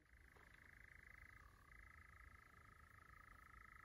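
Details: Continuous churr of European nightjars at Llanwonno Forest, 2022. A fast rattling trill runs without a break, dips briefly to a lower pitch partway through, then returns to its higher level; soft low noise underneath.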